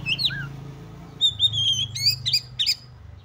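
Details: Excited Oriental magpie-robin singing to stir other magpie-robins. Quick whistled slurs, a long level whistle, then sharp rising notes, over a steady low hum.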